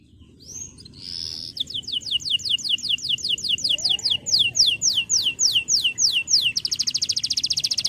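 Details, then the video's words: Male canary singing to call a rival and spur young canaries to sing. After a brief opening note come rapid, high, repeated downward-sweeping whistles, about three per second, ending in a fast buzzy trill. "Cuit Cuit Kenari Memanggil Lawan Ampuh Merangsang Bunyi Burung Kenari Ngeriwik Saja Biar Cepat Gacor"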